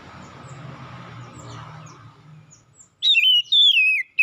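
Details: Oriental magpie-robin singing in the morning: after about three seconds of low background rumble, loud, clear whistled phrases slide downward and break into short, bright notes near the end.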